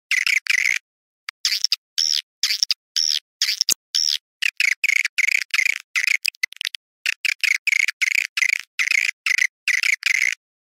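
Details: Swiftlet twittering in the style known as Awan hitam: bursts of buzzy chirps with looping upward-and-down sweeps, one sharp click near the middle, and brief gaps between bursts.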